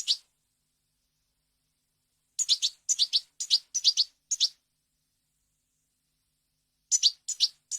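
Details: European goldfinch in clean wild-style song, a recording for teaching chicks and hybrids to sing: brief isolated note, then clusters of quick, high, sharp twitters in two bursts separated by silence.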